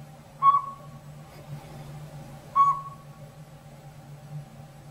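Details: Two brief, pure whistled toots about two seconds apart come from a tiny Northern Pygmy-Owl that has moved into an old sapsucker nest in a hollow backyard tree. Squirrels nearby are upset by it, and a low hum sits in the background.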